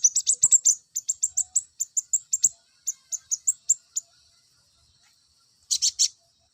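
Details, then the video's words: Olive-backed sunbird song for bringing males into breeding condition: a fast, even series of thin high chirps lasting about four seconds, then a pause and a brief harsh triple burst. "PENAIK BIRAHI KONIN JANTANMU...!!!"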